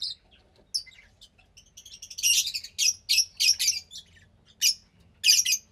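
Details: Young captive Fischer's lovebird, about 15 days old: scattered high squeaks building into a dense run of harsh rasping chirps, then a few isolated loud notes.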